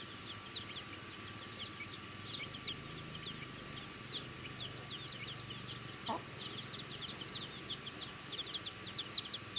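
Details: Chicks eating, their thin high peeps rising out of a hissing background in a quick, irregular patter that grows louder toward the end, with one low knock midway.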